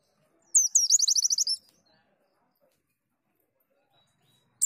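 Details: High-pitched, fast chattering phrase from a caged white-eye in therapy audio: about a second of rapid repeated sweet notes, followed by quiet and the start of another burst.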